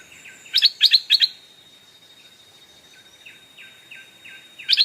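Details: Decoy Stripe-throated Bulbul calling wild birds in. Loud doubled chirps repeated three times, then a run of soft, short downslurred whistles, then another loud chirp burst.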